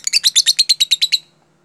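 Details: Lovebird song used as a training lure to teach other lovebirds the rapid 'jeda rapat' style: about ten fast, evenly spaced high chirps in under 1.2 seconds, then silence.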